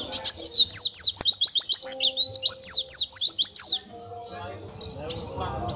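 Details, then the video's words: An Oriental white-eye sings a fast, high twittering run of thin down-slurred notes for about four seconds, then softer chips, with a faint low hum underneath; a training recording for other white-eyes. "MASTERAN PLECI"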